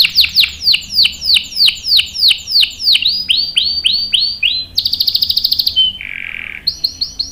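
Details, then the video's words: Canary singing to train young birds: a series of loud downswept whistled notes slowing and lowering, then a high rapid trill, a low buzz, and short repeated chirps. "KENARI GACOR NGEROL panjang bagus untuk PANCINGAN dan MASTERAN paud | CANARY SINGING"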